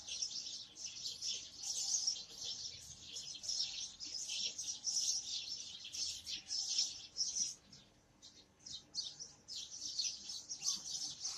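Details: Chattering house sparrow flock: bursts of shrill, rapid chirps pile up, dip into a brief lull near the end, then pick up again.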